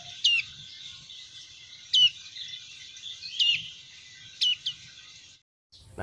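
Black-fronted white-eye giving short, high, sharp down-slurred call notes, one roughly every one to two seconds, over a faint background hiss.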